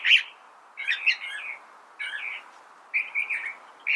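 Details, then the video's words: California thrasher song: grating, jumbled chirp phrases lasting about half a second each, separated by short pauses, with no other clear sounds. "California Thrasher Bird Sound"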